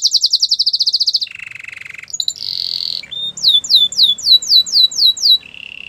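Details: Gloster canary singing: rapid trilled tours, a fast high trill, a lower buzzy rattle, a brief whistle, a bright buzzy section, then a series of downslurred whistled notes repeated about twice a second, ending in a low trill.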